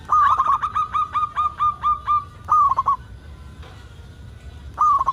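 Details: Lively local zebra dove whose song serves to coax other zebra doves into singing: a rapid series of clear repeated coos, a trilled ending, a quiet gap, then another short burst.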